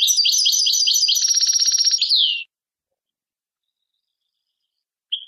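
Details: European goldfinch song: a rapid run of high twittering notes, a buzzy rattled trill in the middle, ending on a falling slurred note, then silence before a brief new start.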